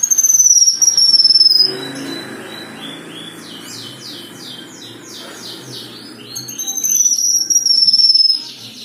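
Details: Black-winged myna (kinoi) in lively song, used as 'isian' fill-in material. A high, ringing, trilled whistle gently falls in pitch, then comes a run of quick chirpy notes. The trilled whistle phrase returns near the end over low background noise.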